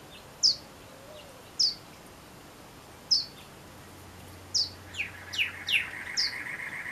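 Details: Desert near Tucson, male Pyrrhuloxia calling for his mate: clear, metallic, downward-slurred chips spaced one to one and a half seconds apart, then a quicker run of five chips over a faint steady hum.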